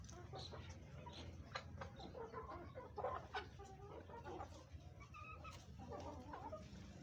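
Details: Chickens eating green vegetables, giving soft, short clucks and low murmuring notes scattered through the clip against a steady background hum.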